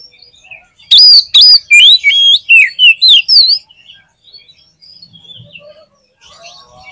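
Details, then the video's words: Oriental magpie-robin (kacer) in gacor singing form, played to test and raise another kacer's mentality: two sharp harsh notes open a rapid two-second burst of loud, varied whistled and slurred phrases, then faint scattered twitters. "SUARA KACER GACOR"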